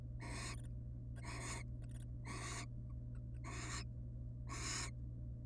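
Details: Wild barn owl pair at their nest with babies, the female showing the male affection; strong rasping hisses repeated about once a second, with faint clicking ticks between them and a low steady hum.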